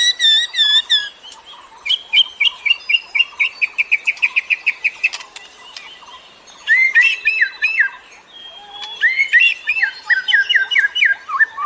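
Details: Lure song for attracting birds: opening high slurred whistles give way to a long, even train of quick repeated chirps, a brief pause, then lively warbled phrases of rising and falling notes.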